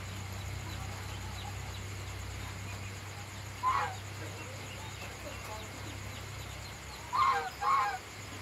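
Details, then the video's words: A goose walking at night gives three short, nasal, harmonic honks: one alone partway through, then two close together near the end, over a steady low hum and faint high chirping. "Goose Walking at night"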